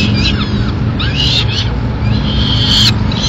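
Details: Peregrine falcons at a Madrid nest on 29 April 2016, as the mother brings food to her chicks: several high, screechy, arching calls with wavering tones, two bursts separated by a pause, over a steady low city rumble.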